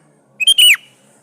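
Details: Sooty-headed bulbul singing to get other bulbuls to respond: one brief phrase of a clear whistle and a bubbly note that slurs steeply down, against a quiet background.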